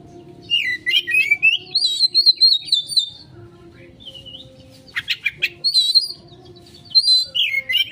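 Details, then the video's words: Oriental magpie-robin giving a 'konslet' lure song for fast response: a rising whistle flowing into a long, level, high warble, soft notes, a burst of sharp clicks, then more bright whistled phrases. "Pancingan Burung Kacer konslet,respon cepat...!"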